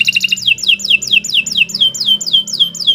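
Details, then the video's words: Kenari Nusantara canary singing continuously in a long tutor-style song: a quick run of short notes, then clear whistled notes that sweep steeply downward, repeated about every 0.4 seconds, loud and steady over faint low background hum. "Kicau Burung Kenari 134 II LUAR BIASA GACOR PANJANG Cocok untuk Masteran"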